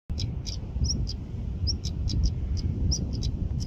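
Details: Stonechat calling: short, sharp clicking ticks repeated irregularly, mixed with a few brief high whistled notes, over a steady low rumble like wind or distant traffic.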